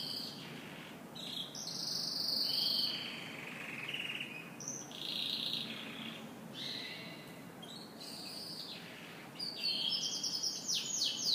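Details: Canary singing in the morning: bright high warbled phrases, buzzy trills and rapid repeated notes alternating with sustained whistled tones, broken by short pauses.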